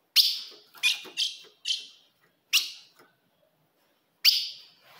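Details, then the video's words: Female ultramarine grosbeak calls used to provoke a male: sharp, clipped high notes that fall away quickly, six given in five seconds, three in a quick run and then spaced out, in a quiet room. "se o seu azulão não segura fogo de fêmea"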